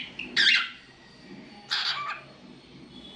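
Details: Pet cockatiel singing and making different sounds, here two harsh, broad squawks about 1.4 seconds apart, with a faint thin tone between them and quiet room noise.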